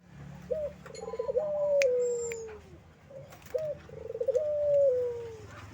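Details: Collared dove, locally called puter, cooing in the vocal ceplekan style: two phrases, each a short upslurred note, a quick stuttering run of pulses, then a long, steady, slowly falling drawn-out coo. A low hum and faint clicks sit in the background.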